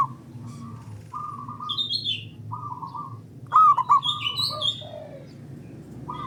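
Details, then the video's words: Local zebra dove singing loudly, used as a lure to set other doves off. Several flat drawn notes lead to one bright warbled coo burst, with higher chirps from other birds and a low background hum. "Pancingan Burung Perkutut Lokal Gacor Dor Bersaut Sautan $uara Keras Panjang"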